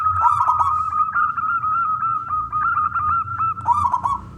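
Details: Zebra dove of local wild stock, a loud, persistent singer, calling to draw other doves into song: one long continuous cooing phrase of rapid, even trilled pulses over a steady tone, with a faint low rumble.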